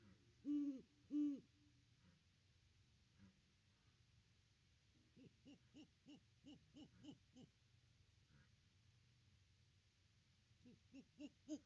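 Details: Great horned owl at its nest tree on Christmas, nest cam recording: two loud low hoots, then a rapid run of softer, quicker hooting notes repeated many times, ending with a few faint hoots.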